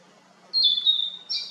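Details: Narcissus flycatcher at Kinugasayama Park, 4 June 2019: a high, clear whistle held for about half a second and dipping slightly, then a brighter second note, over a faint low hum.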